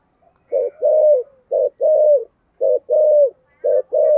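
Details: Spotted dove kept as a decoy, cooing in the deep 'thổ' voice style: four low two-part phrases, a short clipped note then a drawn-out falling coo, evenly spaced in a quiet setting.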